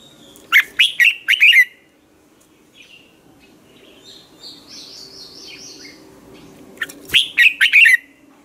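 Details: Morning training song of a red-whiskered bulbul, a decoy for stimulating other bulbuls: a rapid phrase of four bubbly whistled notes, a quiet gap with distant thin chirping, then another similar four-note phrase.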